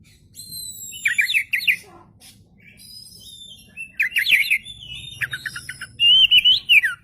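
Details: Singing oriental magpie-robin used as a lure, tail spread: rapid bursts of short descending chips, harsh buzzy notes, and a closing loud wavering whistle.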